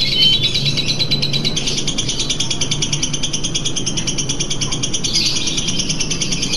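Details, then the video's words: Lovebird song used as a simulator to overcome contest nerves: a continuous, fast, buzzy high-pitched chatter of rapidly repeated notes with a few thin whistles, over a low hum. "mengatasi grogi kontes pada lovebird dengan simulator"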